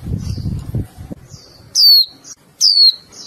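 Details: Female Japanese white-eye, a cage bird, calling to the male to stir it into singing: two sharp, high whistled notes sliding downward, under a second apart, after a low rumbling noise at the start.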